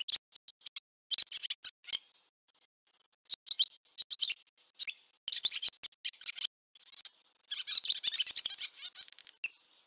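Barn swallow twittering in quick bursts of high, scratchy chirps and buzzy trills, ending in a longer rattling warble; nothing else heard.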